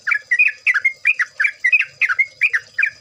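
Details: Yellow-vented Bulbul lure song: loud, liquid, gurgling chirps in quick doublets, each phrase dipping and rising, repeated about every third of a second without pause, over a soft steady high hum.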